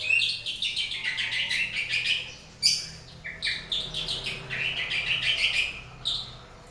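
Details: Long-tailed shrike singing in the morning: a varied run of high chirps and short trills, a sharp burst near the middle, then lively warbled phrases sliding up and down.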